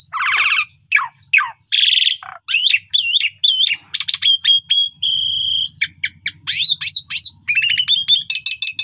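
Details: Asian pied starling (Gracupica contra), song.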